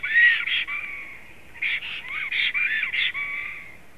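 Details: A male and female black stork whistle on an April evening in 2016: a loud opening whistle, a quieter gap, then rasping, clustered notes and dipping whistles over a soft hiss of background noise.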